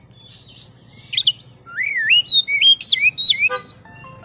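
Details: An Oriental magpie-robin (kacer) from a training recording for songbirds gives a short burst of chatter, then a string of sweeping, wavy whistles in rapid sequence over a faint low hum.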